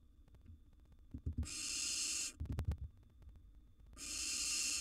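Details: Wild young barn owl siblings in a monitored nest box, competing for food: two long, harsh, broadband hissing screeches about two seconds each, with thumping and scuffling sounds between them.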